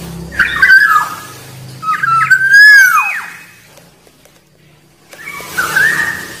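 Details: Black-naped oriole whistling: a few slurred fluty notes, then a loud rising and falling whistle, followed by silence and a softer whistled phrase against a hissy background with a low hum early on.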